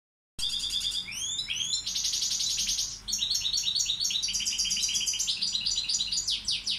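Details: European goldfinch of the balcanica subspecies, a tutor bird, singing a continuous rapid song: buzzy repeated trills and quick twittering notes, with fast rising and falling slurs between them, loud throughout against a quiet background.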